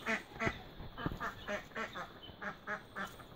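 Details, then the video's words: A duck with its newborn duckling quacks about a dozen times in steady succession, short nasal, buzzy notes roughly three per second, with a little background noise. "cute duckling feed and sound"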